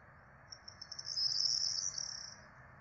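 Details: Four peregrine falcon chicks beg while being fed by their parents at a nest in Rome on 12 April 2024: thin, high, rapid chittering that runs into a continuous shrill trill, with faint background noise.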